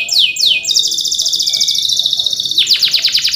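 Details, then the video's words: Male canary in rolling 'ngerol' song, used to train young canaries: a few falling whistles, then a long steady high buzzy trill, ending in a quick series of sharp chirps. "PANCINGAN KENARI GACOR NGEROL CUIT CUIT EMOSI UNTUK MASTERAN KENARI PAUD AGAR CEPAT BUNYI DAN GACOR"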